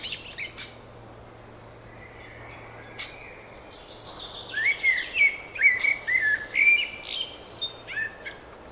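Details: Springtime birdsong: sparse high chirps at first, then a rapid run of warbled whistled notes in the second half, faint low hum in the background.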